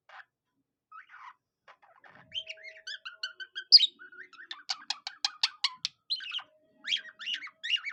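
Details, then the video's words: Pet budgerigar mimicking a cockatiel's song, starting with scattered soft chirps, then building into rapid whistled notes, a loud sweeping squeak and dense bursts of buzzy, clicking warble with brief pauses. "A budgie that sings like a cockatiel"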